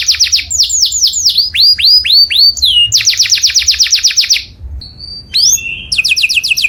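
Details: Canary singing for other birds to imitate: rapid repeated notes, then slow falling whistles, another fast trill, a brief near-silent pause with a thin whistle, and a final burst of quick high notes.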